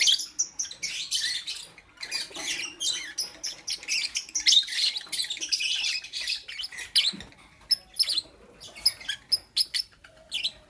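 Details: Lovebirds in the morning giving a constant chatter of high, scratchy chirps that later thins out into separate sharp clicks and tweets.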